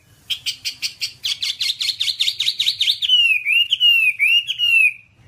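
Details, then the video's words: A Whambie's master song for training caged birds: a fast buzzy chatter of repeated notes, then a sweet wavering whistled phrase rising and falling. "Masteran Whambie nonstop 1 jam"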